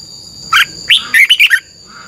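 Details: One short phrase from a Thai cage-kept red-whiskered bulbul, 'double' style training song: five quick, clear, bouncing whistled notes sliding downward, delivered in about a second, with a faint steady high tone in the background.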